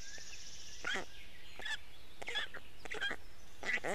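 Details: Black stork chicks in Estonia begging at the nest as the male feeds them fish on the morning of 29 May 2018; short bursts of hoarse, buzzy squawks, with a songbird trilling in the background.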